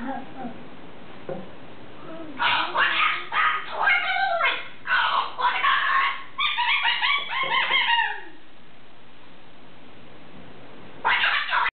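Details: Captive talking cockatoo saying phrases like "What is that" and "Oh, my goodness" and copying a squeaky dog toy; a long run of speech-like syllables with wavering pitch, then sharp squeaky notes, and a final short burst after a pause.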